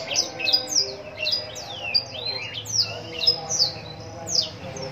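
A Black-throated canary sings a fast, unbroken stream of sharp high chirps and quick sweeping whistles, with a faint low hum behind it.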